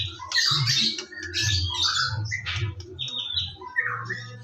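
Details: White-rumped shama song in the morning, used as a lure to get shamas singing actively: dense, jumbled harsh notes and squawky phrases with brief whistles, over a steady low hum.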